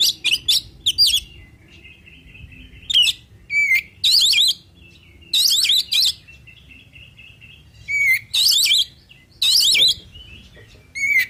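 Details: Male oriental magpie-robin in full song meant to draw rivals into answering, mixing scratchy buzzy bursts with sustained flat whistles and quick upswept chirps, phrases recurring roughly every two to three seconds.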